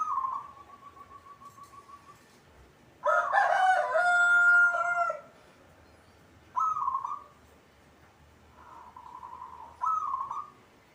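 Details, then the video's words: Local zebra dove singing eagerly. A long bubbling trill of evenly spaced low notes, then a loud rooster crow, followed by several shorter rolling coo phrases with pauses between them. "hitungan detik perkutut cepat bunyi atau gacor"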